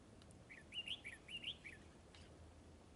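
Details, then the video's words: Red-whiskered bulbul during trapping, in a fighting display, singing a quick run of clear, bouncy whistled notes in rising-falling pairs, about five in a row, then a pause and one more high note. "Bẫy chào mào ĐẤU XOÈ MAU MỎ HỌNG BÒ SIÊU TO KHỔNG LỒ"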